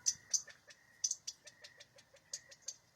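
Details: A flock of about 20–30 quail hiding low on the ground in a backyard squeak sharply, high-pitched, as a sharp-shinned hawk perches on the fence; about a dozen short chips in three seconds, some louder and thinner, against a faint steady tone and low rumble.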